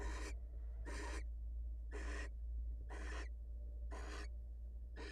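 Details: Wild barn owl female departing the nest to greet her mate: six harsh, wide-band hissing bursts, evenly spaced about a second apart, against a constant deep hum.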